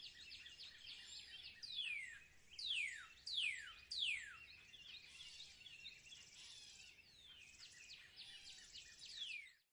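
Eurasian siskin giving several thin, high whistles that slide steeply downward, about one a second at first, over a constant busy twittering chatter.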